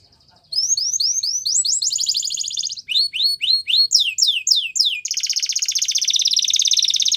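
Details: Belgian canary song for training young canaries: after a brief quiet start, rising slurred whistles merge into a buzzy roll, then a group of sweeping notes and a long fast steady trill.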